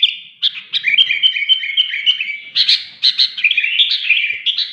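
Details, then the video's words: Sooty-headed bulbul, or kutilang, singing energetically: sharp chirps alternate with short, slightly falling whistled phrases, delivered in bursts separated by brief pauses, clear against a quiet background. "BURUNG KUTILANG SUPER GACOR"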